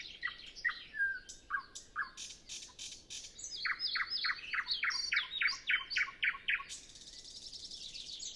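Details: Early-morning nightingale song before dawn, no wind, no other birds yet: a drawn whistle, then loud chopped notes repeated in a rhythmic series, ending in a dense high buzzing trill. Zoom F6 and Sennheiser MKH 8040 recording.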